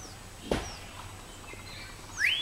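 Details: Asian fairy-bluebird calling: one strong, bright rising whistle at the end, after a sharp knock and faint high notes from other birds in the background.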